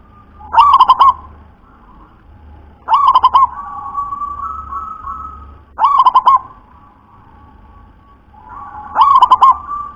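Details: Local zebra dove with a very thick, deep voice sings four phrases, one roughly every three seconds. Each is a rich, bubbling string of several quick coos, with low drawn-out tones between.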